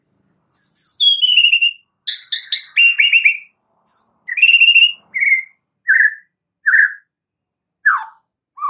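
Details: Master song of the oriental magpie-robin (murai batu) for tutoring caged birds: varied clear phrases of sliding whistles and rapid chip series, then spaced single downslurred whistled notes roughly every second.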